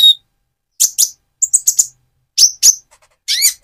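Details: Lively Van Hasselt's sunbird in mottled moulting plumage, calling to provoke another sunbird: scattered high, thin chirps in pairs and triplets, ending with a short descending twitter.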